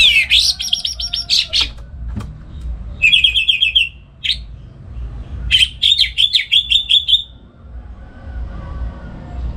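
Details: Caged orange-headed thrush singing at home in the morning, kept to prompt and tutor other songbirds. A loud, varied song of high whistled and chattering phrases, with fast runs of repeated notes around the middle and a quiet hum behind.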